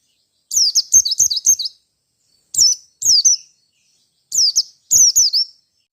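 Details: Merapi white-eye in fighting mode, seeking a rival: clusters of high, thin, down-slurred chirps, first a quick run of four, then paired notes separated by gaps of over a second.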